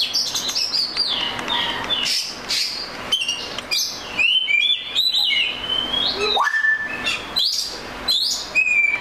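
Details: Oriental magpie-robin singing a varied, melodious run of clear whistles, rising and falling slurs and quick trills, phrases following each other with short pauses over a steady faint hiss.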